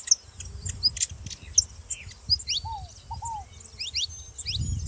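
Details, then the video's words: High, clipped chirps and short rising slurs from a saffron finch, uneven in timing, with a pair of lower arched notes midway and low rumble swelling at the end. "canário da terra fazendo barulho junto com rolinha"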